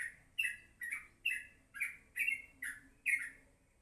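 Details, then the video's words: Morning song of a yellow-vented bulbul, short liquid warbled phrases with a sharp high edge, delivered in a regular series roughly every half second over a faint low hum. "kicauan crucuk pagi hari"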